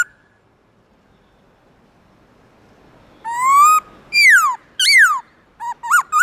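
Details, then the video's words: Black-throated laughingthrush singing in the morning in its wild forest-style song, with long, loud, clear notes. After three seconds of near silence come loud fluty whistles, one slurring up, others sweeping down, then short quick upturned notes. "Khướu bạc má HÓT GIỌNG RỪNG buổi sáng Âm Dài to rõ"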